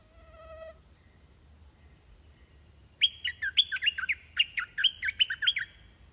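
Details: Red-whiskered bulbul song during decoy trapping; a young, large wild bird with a good song came in fast. One faint whistle opens, then after a pause a lively string of clear, bouncy warbled notes follows, repeated in quick phrases.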